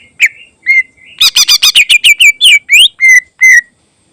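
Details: Greater green leafbird song with mimicked filler phrases, intended as a tutor recording for other birds: two whistled notes, then a rapid burst of about ten harsh chattering notes, ending in rising whistles and two steady whistled notes.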